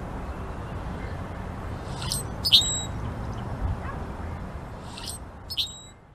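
A blackbird gives two brief bursts of sharp, high chirps a few seconds apart over a steady low rumble of background noise.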